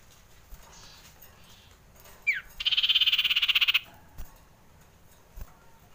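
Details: Common iora, described as frightened, gives a quick rising note, then a harsh, even buzzy rattle of about twenty-five rapid pulses lasting just over a second, with faint taps around it.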